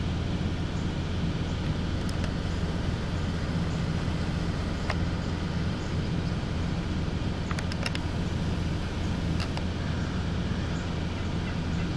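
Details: A steady low rumble of a running vehicle engine fills the recording, with a few faint clicks and no clear animal calls.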